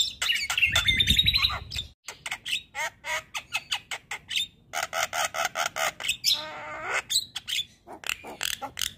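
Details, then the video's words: Javan myna recording for encouraging idle birds to sing: an opening whistled, warbling phrase, then a long fast series of harsh squawking chacks, roughly four per second, with a raspy grating burst partway through. "Pancingan Jalak Kebo Malas Bunyi"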